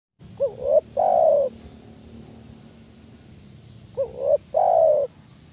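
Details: Spotted dove lure call used to draw in doves: two coo phrases, each a short rising note followed by a longer steady low coo, about three seconds apart, over a faint rural background hum.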